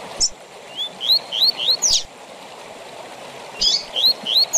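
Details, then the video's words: Double-collared seedeater singing the tui tui zel zel song used for training captive birds: rising whistled slurs in a quick phrase of about five notes, sharp high chips, a pause, then another phrase over steady rushing background hiss. "TUI TUI ZEL ZEL DE FIBRA TOP PARA ENCARTE DE COLEIROS E PAPACAPIM"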